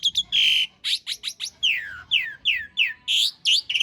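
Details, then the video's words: Coarse-filled long-roll master song of an Asian pied starling, used for training cage birds: harsh loud rasps interspersed with a string of sharply falling whistled notes at a rapid, uneven pace. "Suara masteran jalak suren isian kasar roll panjang"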